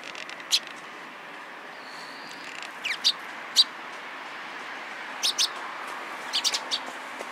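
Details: Sparrows gathering around, recorded 27 April 2017: scattered short high chirps, single and in pairs, spread over the clip, with a faint whistled note midway and a steady low background hum.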